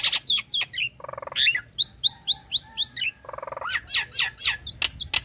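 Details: A female Nias hill myna, said to sing well when in breeding condition, gives a rapid stream of piercing whistles and sharp clicks, about four notes a second, broken by two harsh, nasal, buzzing bursts.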